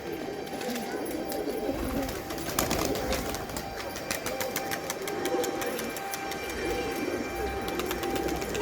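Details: Pigeons cooing in low, wavering, overlapping murmurs throughout, with frequent sharp clicks and taps layered above and a steady background hum.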